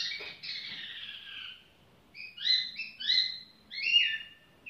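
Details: Song of a tiểu mi bird sung at an easy pace: a long descending warble, a short pause, then several short rising and falling whistled notes spaced about half a second apart.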